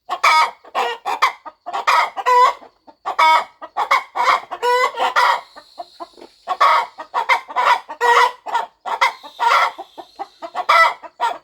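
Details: Farm mother hen clucking softly on her nest ahead of hatching; rapid harsh clucks interspersed with longer tonal squawks, plus a thin high steady whine in the background.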